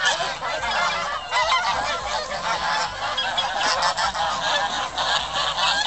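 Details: Many geese honking at Shields Lake in Richmond, Virginia: a steady wall of raucous, overlapping honks with no pauses, swelling slightly in places.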